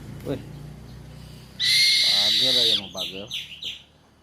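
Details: A Buffy fish owl (Ketupa ketupu) gives a loud, harsh hissing screech lasting about a second, then three or four short wavering squeals, after a man speaks quietly.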